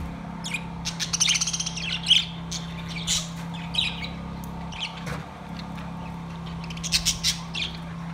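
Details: Budgerigars kept in a cage, singing: busy, scratchy chatter of rapid high chirps and squawks that thickens into dense bursts, then thins out, with a constant low hum underneath.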